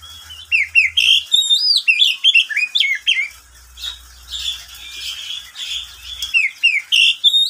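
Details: Pet oriental magpie-robin singing in the middle of the day; nearly continuous run of whistled slurs, chirps and harsher notes, with a steady low hum in the background.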